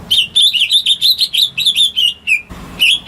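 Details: Home-kept greater green leafbird, used to coax silent birds into singing, delivering a fast run of whistled, warbling notes that bend up and down, broken by a short pause before resuming.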